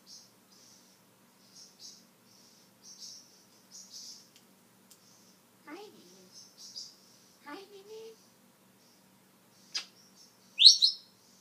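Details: Pet talking African grey parrot showing some of its vocabulary indoors: a run of soft high chirps, then two gliding, voice-like harmonic phrases in the middle and a sharp loud whistle near the end.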